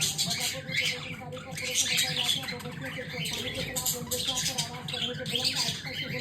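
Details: Pet budgerigars at play time chatter in a busy stream of high, scratchy warbles and chirps.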